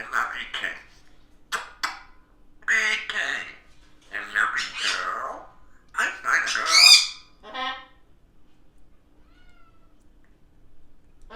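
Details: Pet African grey parrot, chatty in the morning indoors: bursts of speech-like babble mixed with sharp squawks and a high whistled note, then quiet.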